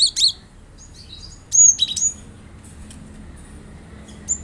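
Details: Cinereous tit calling, recorded to coax a kept bird into song: a pair of sharp high notes, then a cluster of thin, piercing whistles and chips, followed by quiet.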